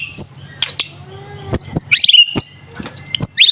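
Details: Juvenile white-rumped shama in full song: loud sliding whistles, descending slurred phrases and sharp snapping clicks delivered in quick, varied bursts with short pauses, a soft low hum beneath.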